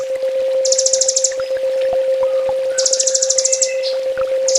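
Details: Sunbird, locally called kolibri ninja, in a full master song for training birds kept at home: bursts of very high, rapid, buzzy trills about half a second long, separated by scattered thin chips, over a steady low hum throughout.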